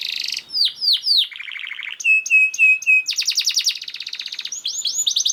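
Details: Speedy canary master song: descending whistles, a buzzy trill, repeated short flat whistles, then a long rattling series and upward sweeps.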